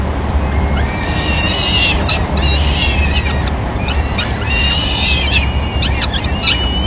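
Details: Madrid Peregrine falcon nest, 25 April 2016. The male watches, then the female enters with a pigeon and feeds the young. Loud, strained, rising-then-falling squeals sound in clusters over a continuous deep hum.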